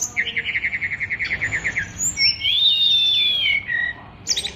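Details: Oriental magpie-robin, a caged songbird whose song is described as richly packed with learned phrases, gives a fast run of evenly repeated chirps, then a long, clear, high whistle that rises and falls, ending in brief buzzy notes.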